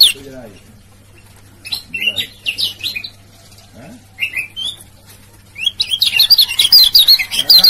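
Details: Male lemon-bellied white-eye of Lombok, ciak-ciak lure call: a few short groups of high chirps separated by quiet gaps, then a fast, rippling twitter at the end, with a low hum throughout.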